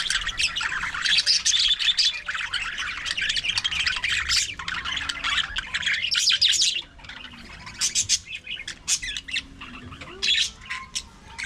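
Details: Budgerigars in an aviary colony, many birds calling together: dense, buzzy high warbling and chirps run almost nonstop for about seven seconds, then thin out into scattered short chirps.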